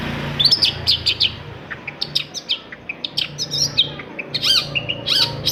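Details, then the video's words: Long-tailed shrike singing to spur other shrikes to sing: busy, varied high chattering with quick trills, slurred whistles and repeated chips, over a low steady hum. "TOETAN BURUNG CENDET INI COCOK BANGET UNTUK MENAIKKAN EMOS1 CENDET YANG MACET AGAR MAU BUNYI"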